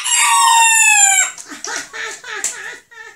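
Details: Rooster giving a bright, high, strongly harmonic crow that descends slightly and ends after about a second, followed by softer, choppy clucking and crowing notes.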